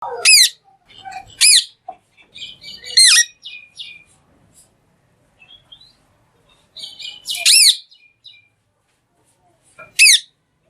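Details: Talking green parrot giving loud, harsh, arched screeches about four times at irregular intervals of one to three seconds, with softer chattering and clicking notes between them in a quiet room.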